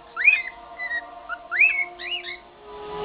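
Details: Elderly indoor pet cockatiel whistling its rough rendition of the Andy Griffith theme tune. Two bright upward-swooping whistles, each followed by a few shorter lilting notes, over a low steady background hum.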